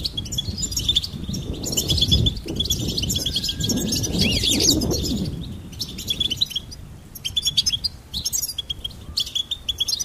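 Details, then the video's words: Goldfinch song: bright, high chirping phrases that run almost without a break, over a soft low background rumble. "Charming Goldfinch Peep"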